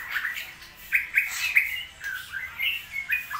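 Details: Straw-headed bulbul, a bird kept by songbird hobbyists, singing during a rainy season that its keeper says holds back its voice: short, rich, slurred whistled phrases near the same pitch, several bursts with rising and falling sweeps, over light background hiss.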